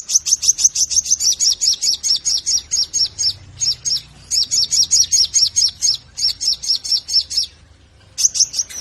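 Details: Sogon singing a rapid, sustained stream of high chattering notes, grouped into bursts with brief pauses, a lure call meant to set other sogon singing.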